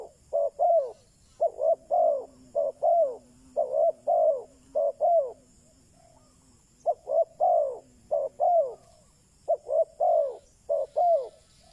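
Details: Spotted dove used as a decoy for wild doves, delivering a long series of paired coos, short then longer and falling, in two runs separated by a brief pause, over a soft low drone.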